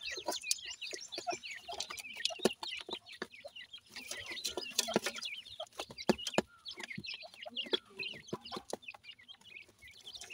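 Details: Pakistani black francolin chicks during feeding give a steady stream of thin, high peeps and short chirps. Sharp clicking taps are scattered among the calls.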